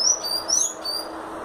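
Sayaca tanager giving four thin, very high squeaky notes, slurred up and down, in quick succession over a faint hiss.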